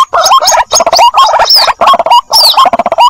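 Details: White-breasted waterhen chick calling for its mother on a lure recording: dense, overlapping chattering notes with rising whistles and high sliding squeals, almost continuous with short breaks.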